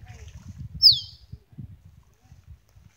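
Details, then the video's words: Male Musk Duck in mating display before females at Lysterfield Park, Victoria, Australia: one bright, falling whistle rising above continuous low splashing and rumbling water sounds. "Male Musk Duck Mating Call"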